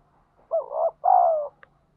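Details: Wild ground-type spotted dove delivering a single thúc gù coo phrase: a wavering, throaty first note that breaks slightly, then a smooth, longer note that slides gently downward, with a faint tick at the end.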